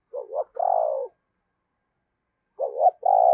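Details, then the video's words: Caged decoy spotted dove cooing during the Tết season to lure wild doves. Two low phrases, each a quick stuttering double note followed by a longer, purring held coo, about two and a half seconds apart, with silence between them. "Tiếng Chim Cu Mồi Thúc Gù Cực Hay và Hắp Dẫn Để Anh Em Kích Bổi Mùa Tết"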